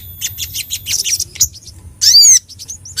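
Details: Little spiderhunter (sogok ontong) singing to challenge rivals: quick high twittering chips, then one loud, harsh downslurred note near the end.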